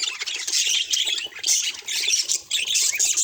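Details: Budgerigar calls in bursts: high, harsh squawks and chirps come in clusters about every half second, with short quieter gaps between.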